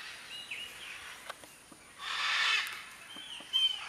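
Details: Macaws at a nesting colony in Acreúna, in the afternoon, nesting in trunks of dead buriti palms killed by a dam, alongside parakeets and parrots. A single harsh, raspy squawk bursts out mid-clip over faint background chatter.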